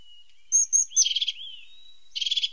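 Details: A sharp-nosed tit gives two loud high clear notes, then a buzzy pulsed trill. A thin sustained whistle follows, then another short buzzy burst.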